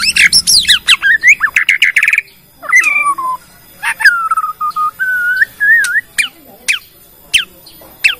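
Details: Lure song of a Bornean white-rumped shama performing its whole repertoire to provoke other shamas into song. A rapid chattering burst gives way to clear slurred whistles, a long wavering fluted phrase and sparse high sharp notes.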